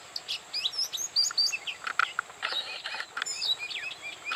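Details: Oriental magpie-robin singing at Bada, North 24 Parganas: a varied run of short whistled notes and sweeping high phrases, some slurred up and down, delivered in quick bursts, with a steady high electronic-like hiss in the background.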